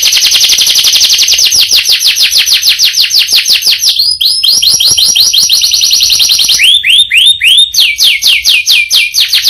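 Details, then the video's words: Canary delivering a long rolled song: fast repeated trilled notes, then a sequence of downward-sweeping whistled syllables, a brief change of phrase, and a return to rapid repeated sweeps. "Burung Kenari Gacor Roll Panjang Isian Mewah"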